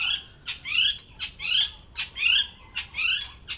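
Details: Long-tailed shrike song with mimicry, a repeated rising slurred whistle with a harsh edge, given regularly about every three-quarters of a second, with clicks between phrases.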